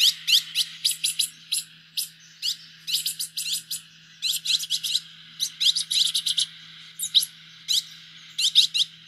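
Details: Green-headed tanager song: an almost continuous stream of high, thin, downslurred tsip notes in quick irregular runs, over a constant soft background hiss.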